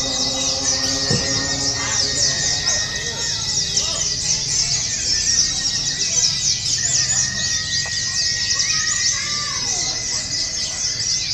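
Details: Oriental white-eye in a simulated song competition and training session, delivering long, continuous high-pitched warbling bursts, dense and rapid, with people talking and faint background music underneath.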